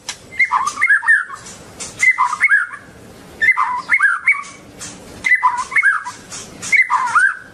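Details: White-rumped shama with a long tail repeating one rich whistled phrase of rising and falling slurs about every one and a half seconds, with short gaps between phrases.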